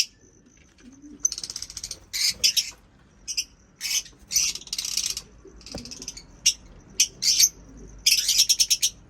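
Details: Caged lovebirds in a breeding cage setup, giving shrill, buzzy chirps in rapid bursts of several notes, with short pauses between bursts and a quiet room behind.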